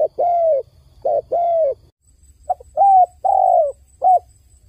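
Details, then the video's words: A dove's crying coos, low and smooth: several short-long pairs, with a brief pause midway before the phrases resume. "The sound of a dove crying សំឡេងសត្វលលកយំ"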